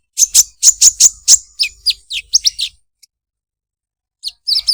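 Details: Olive-backed sunbird singing a fast series of sharp high chips that slide into lower, down-slurred notes, followed by silence and a brief return of chirps.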